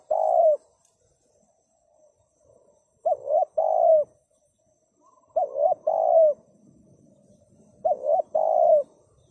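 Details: Spotted dove repeating a phrase about every two and a half seconds: a quick double coo with a slight upward bend, then a longer coo that falls at the end. Quiet gaps between phrases.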